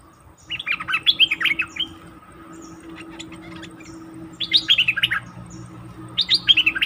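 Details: Bulbul used as a decoy bird, recorded 08/08/2021 after being taken into the forest to face wild birds; three bursts of quick, bubbly notes that slide downward, with quiet gaps between them over a faint steady hum.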